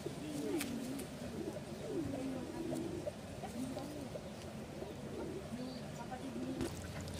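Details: Loft racing pigeons bathing in the Philippines; a run of low, swooping coos repeats about every second, rising then dropping in pitch, over steady background hiss and occasional clicks.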